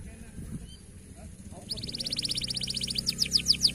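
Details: Local canary song in a tutor recording (masteran) for training birds to sing often: after quiet low rumbling, rapid repeated high descending notes begin midway and grow louder, about three per second.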